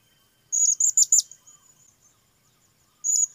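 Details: Blue-crowned hanging parrot calling with a rapid cluster of four piercing, high-pitched squeaky notes, then a pause and a further short high burst, over an otherwise quiet background.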